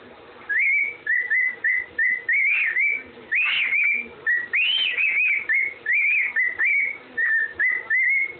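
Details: Pet parrot whistling the Andy Griffin tune: a run of short, clear whistled notes at a steady mid pitch, broken by higher rising-and-falling swoops near the middle, with brief gaps between phrases.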